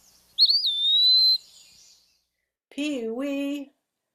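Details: Eastern Wood-Pewee, a flycatcher that sings its name, recorded song played back: one clear, high whistle with a brief rising slur, then a long steady tone of about a second, followed by a person saying pee wee in imitation.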